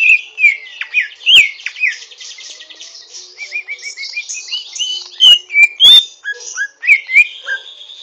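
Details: Rough learning song of a greater green leafbird, a fast jumble of sharp downslurred whistles, buzzy trills and short chirps, loud notes clustered at the start and again toward the end.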